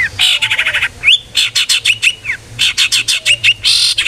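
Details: Long-tailed shrike in full ngeplong song, meant to coax other shrikes into singing: dense, fast harsh chattering broken by brief upward-slurred whistles, nearly continuous throughout.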